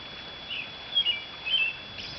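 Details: At a Joshua Tree retreat center, a small bird gives a few thin, high chirps at about half-second intervals over a steady faint high whine and soft outdoor hiss.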